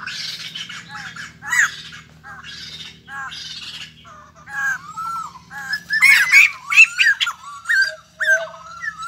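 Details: Newly caught white-crested laughingthrush kept as a cage bird, giving harsh chattering squawks and rising whistled notes, growing louder and busier toward the end, with a low steady hum beneath.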